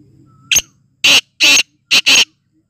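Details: Excited black francolin in full condition gives one brief sharp note, then four loud grating rasping bursts in two pairs, each burst a fraction of a second, with little background sound.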